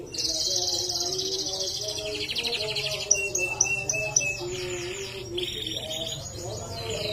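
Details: Canary singing in a lively, rich style: long buzzy high trills, a series of clear whistled notes, then fast rolling phrases, over a steady low hum and faint background tones.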